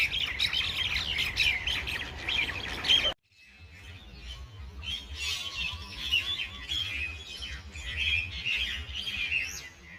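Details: Several common mynas fighting at Ewa Beach squabble in a dense, harsh chatter of squawks and rasping chirps; it breaks off abruptly, then resumes slightly lower and slower, as a slowed replay.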